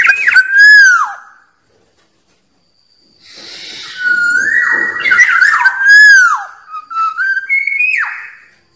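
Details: Song of a wild black-naped oriole used to draw in rivals: a clear swooping whistle, about two seconds of silence, then a run of rich fluty phrases with falling slurs.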